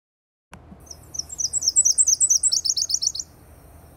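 Nashville Warbler singing a high, two-part song: a run of sweet paired notes, then a quicker, lower-energy trill, lasting under three seconds over faint background hiss.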